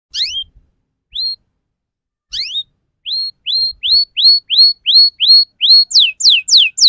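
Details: Belgian canary singing: clear rising whistled notes, first spaced, then repeated steadily about three per second, ending in a few fast descending sweeps; no other sounds.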